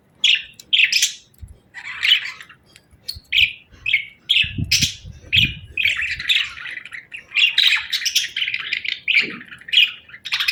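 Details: Budgie chirping, clear short chirps and squeaky warbles at an irregular pace, some in quick pairs, with faint low rustling in the background.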